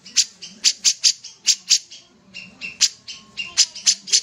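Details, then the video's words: Vigorous sooty-headed bulbul song of bright, sharp clicks in loose clusters, broken by a brief pause, then resuming with clicks mixed with softer, more tonal chirps. "suara burung kapas tembak gacor"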